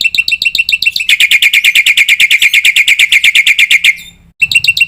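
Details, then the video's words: Black-winged myna training song packed with fill-ins: dense, loud ringing notes repeated about three times a second, becoming a rapid continuous trill before a brief gap and a fresh run of whistles. "suara masteran jalak putih full isian"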